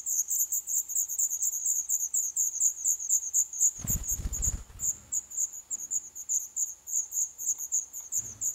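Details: Nestling black redstarts begging in an old furnace pipe nest, Poland, day 11. A steady, high, shrill chatter of rapid squeaks runs throughout, with a brief low rumbling thump partway and a soft knock near the end.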